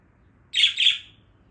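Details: Angry budgerigar giving two quick, bright chirped notes in rapid succession, each sharp and high, with a quiet background.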